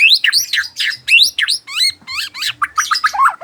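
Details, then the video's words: Loud, continuous song of a white-rumped shama in the afternoon, made of rapid, varied upsweeping whistles and warbles, each phrase quickly following the last with no real pause. "merdunya suara burung muray di sore hari"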